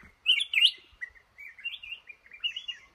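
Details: A trapped male red-whiskered bulbul in a cashew garden starts with two loud rich, gurgling notes, then softer rolling whistled phrases.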